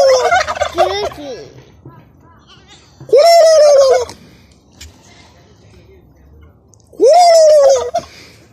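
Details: Three turkeys, one white and two black, on a farm gobbling in sync: three loud bursts about four seconds apart, each a rapid, rattling, descending burble.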